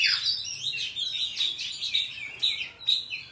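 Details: Wild forest song of an Oriental magpie-robin, used for tutoring young birds: a rapid, rich run of whistles, trills and downward sweeps, high-pitched and nearly unbroken, with sharp accented notes near the end.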